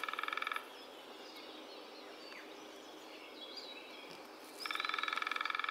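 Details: Lesser spotted woodpecker in riverside woodland giving its characteristic call: two short bursts of rapid, evenly repeated bright notes, one at the start and one at the end, over steady background hiss.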